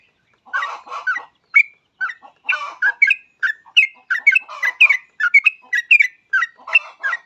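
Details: Yellow-vented bulbul song used as a lure to get other bulbuls singing: lively bubbly phrases of short whistled and gurgling notes around mid pitch, delivered in quick bursts almost continuously, with a clean quiet background.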